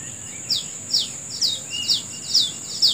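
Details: A bird chirping in the morning outdoors: clear, high notes that sweep downward, repeated every half second or so, while a constant high insect whine continues underneath.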